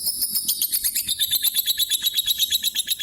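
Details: Daily calling of a lovebird aged almost nine years, a rapid series of piercing high-pitched chirps repeated roughly three times per second, evenly paced.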